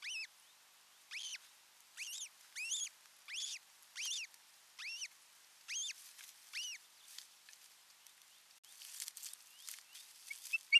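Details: Osprey pair, first time alone together at nest number 5, Satakunta, Finland, 6 June 2023: a string of arched whistled calls over about seven seconds, then fainter scratchy rustling noises.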